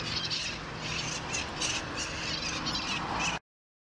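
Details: Urban flock of Mitred conures in Long Beach, California, during nesting season: harsh, grating squawks overlapping almost continuously, with shrill bursts rising above a noisy wash of calls.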